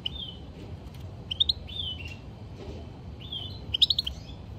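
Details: European goldfinch song, fairly soft: thin drawn-out whistles mixed with short clusters of high chirps, ending in a brighter twittering run of five or six notes.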